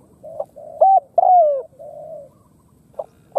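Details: Khmer spotted dove with a muffled, buzzy low purr leading into a bright short coo and a long descending hoot, then another soft purring note and clipped coos.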